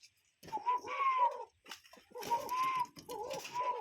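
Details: Cuckoo call from a real bird in nature: whistled two-part phrases, a short note then a sustained, slightly falling tone, repeated three times over a softer lower echo-like layer.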